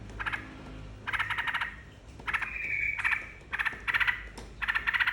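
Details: Trucukan song played to draw other birds into song: short bursts of rapid, bubbly chattering notes, some stretched into a level whistle, in quick repeated phrases.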